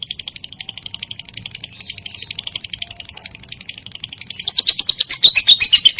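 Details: Long 'ngekek' chatter of a lovebird, recorded as training material for songbirds: a fast, rattling string of high pulsed notes that grows suddenly louder and shriller toward the end, with faint low background noise.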